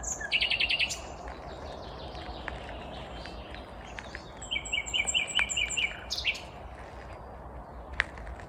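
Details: Vagrant Common Nightingale singing unseen in the morning at Kvarnbo, a suburb of Uppsala, Sweden, on 19 May 2021; high whistled notes, then rapid repeated chirping series in two bursts, over steady low background rumble.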